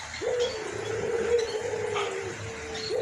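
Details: White collared dove, an albino puter described as vocal with a hoarse voice: a short rising note, then a long, low, drawn-out coo that falls slightly and holds steady, with another rising note starting at the end.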